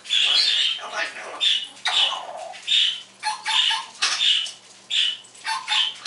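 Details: Happy pet parrot indoors in the morning imitating sounds and saying words: a run of short, rough, high-pitched bursts, roughly one per second, irregularly spaced.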